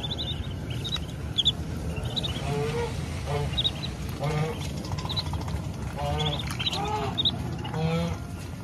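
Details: Mother duck leading her ducklings to food on a rural farm; nasal, harmonic quacks in short bursts about every second, with high, thin duckling peeps scattered between them over a steady low rumble.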